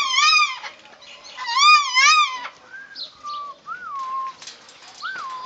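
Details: White cockatoo in Hilo, Hawaii, excitable and noisy: loud wavering harmonic squawks that rise and fall, then thinner bending whistled notes spaced about a second apart, with faint background rustle.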